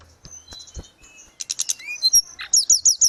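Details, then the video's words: Grey-cheeked bulbul in full 'gacor' song, used to tutor caged birds. Soft scattered notes give way to a burst of sharp chirps, a short whistled slur, then four loud repeated high chirps. "Terapi tledekan gunung _gacor"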